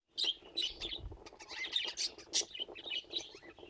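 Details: Pet budgerigars, several birds, giving lively 'laughing' chatter: quick bright chirps and scratchy warbled notes tumbling over each other, with sharp clicks and a soft low thump near the start.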